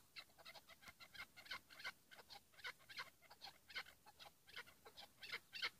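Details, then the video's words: 'Pat' calls of a Chukar partridge: a continuous stream of harsh, slightly raspy chucking notes, several per second and fairly even in loudness, with a light background hiss. "keklik sesi dinle sadece pat"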